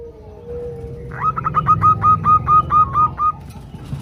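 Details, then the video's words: Female zebra dove calling the male, a lure recording to set males calling. After a faint drawn-out tone, around ten loud, regular, nasal notes at one pitch, with a low hum underneath. "perkutut betina memanggil jantan"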